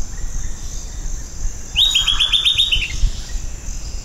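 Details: Silvered antbird (Sclateria naevia) giving a brief, high trill of about seven quick notes that fall slightly in pitch, lasting around one second, against a steady background hiss.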